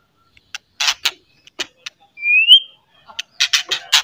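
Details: White-rumped shama song aimed at stirring other shamas to sing: scattered harsh chattering bursts around a single long rising whistle.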